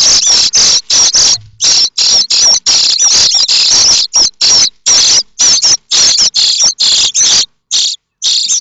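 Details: Five 9-day-old common starling nestlings in a nest at Théding, France, on 7 May 2024, scrambling as a parent brings food, give harsh, hissing, rasping begging calls in quick bursts, two or three each second, high-pitched and almost continuous.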